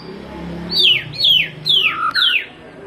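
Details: White-rumped shama song used as a lure for training, with four loud downslurred whistles about every half second over faint background music.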